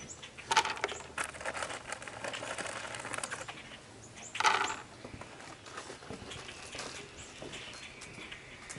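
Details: Blue jays feeding on almonds set out for them, one stuffing several into its mouth; two short, harsh, harmonic calls about four seconds apart, with soft pecking, rustling and wing sounds between.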